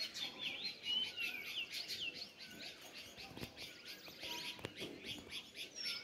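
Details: Dense sparrow chirping, with quick high chirps repeated several times a second by many overlapping birds, plus one clear whistled slur near the first second and a few faint clicks.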